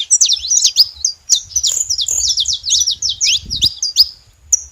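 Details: Several saffron finches calling together: rapid bright chirps and quick down-slurred whistles run on almost without a break, closing with a thin, drawn-out high note; soft low background noise.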